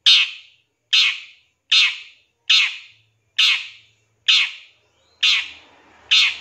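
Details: Long-tailed shrike in a cendet master recording with 'tembakan' fill, giving loud harsh rasping notes one after another at a steady pace, roughly every 0.8 seconds, with quiet gaps between.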